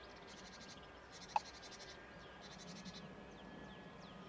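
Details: Marsh warbler song recorded near Rijssen on 25 May 2016: rapid buzzy, rattling bursts in short phrases, with a sharp click partway through and a constant low hum behind.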